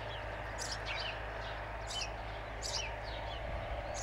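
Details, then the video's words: Sparrows chirping in short, bright, high notes, about one every half second to second, some with a quick downward slur, over a steady low rumble of distant traffic or machinery. "Врабчета sparrows"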